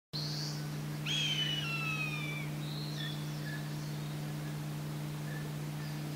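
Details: An Eastern Buzzard (Buteo japonicus) gives a single drawn-out, high mewing call slurring downward over about a second and a half, with a few fainter chirps around it over a steady low mechanical hum.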